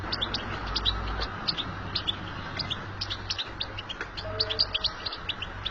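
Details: Wild European goldfinch in a natural setting, its high, liquid chirps spilling out in rapid clusters. A low hum persists beneath, and a short faint tone appears near the end.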